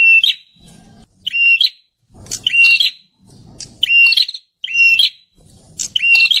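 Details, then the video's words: Loud prinia song, the kind used to lure wild birds: strident phrases of a steady high whistle capped by a harsh buzzy note, repeated roughly every second with short gaps and soft low noise between. "suara burunh perenjak (si burung imut bersuara keras)"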